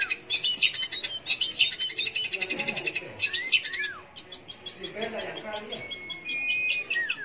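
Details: Long-tailed shrike song for prompting young or silent shrikes to sing, a fast jumble of scratchy high notes and trills, with a few curling whistles and a long thin whistle near the end.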